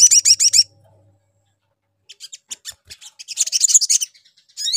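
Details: Sogon bird lure call meant to draw other sogon birds: a quick run of four sharp, high, downslurred notes, a pause, then scattered high chips building into a dense, rapid, chattering burst, with another call starting at the end.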